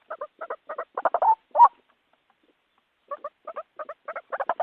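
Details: Lure recording for trapping of white-breasted waterhen calling: paired short croaking notes repeated in quick series, a louder drawn-out note near the middle, a second-long silence, then the paired notes resume and build.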